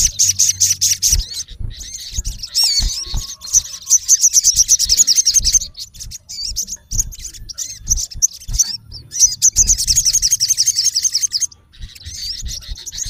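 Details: A male olive-backed sunbird calls to a rival in long bursts of rapid, very high chirping and buzzy trills with twisting whistles, briefly pausing twice, over faint low knocking sounds.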